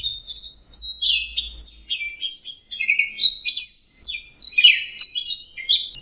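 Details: An orange-headed thrush in full "teler" song: a rapid, unbroken run of varied high whistles, chirps and slurred notes that shifts phrase every half second. No other sounds intrude.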